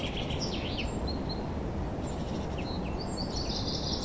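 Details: Several forest birds in spring 2023, with scattered chirps and short whistled notes above a loud, constant low rumble of background noise.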